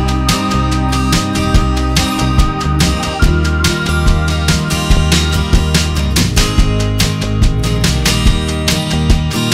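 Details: Upbeat instrumental music with guitar and a steady rhythmic beat plays loudly from start to end, and no animal sounds can be picked out.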